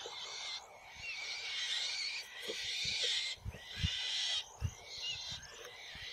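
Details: Black-shouldered kite fledglings squabble over a mouse at the family's perch tree, one older sibling having grabbed it from the nest, giving long, harsh, wheezy screeches in overlapping, hissy bursts of about a second, with soft low thumps beneath.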